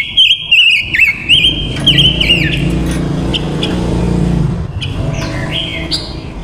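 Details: Female silver-eared mesia used as a lure bird, singing to call in wild males for trapping: a quick run of wavy, warbling whistled notes in the opening seconds, then sparser chirps, over a steady low rumble of traffic.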